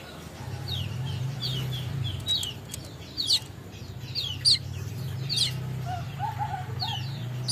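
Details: A weaver in Bima, West Nusa Tenggara, learning to sing, gives quick, thin, high chirps and downward-slurred squeaks in loose, uneven bursts, with a few lower notes, over a steady low hum.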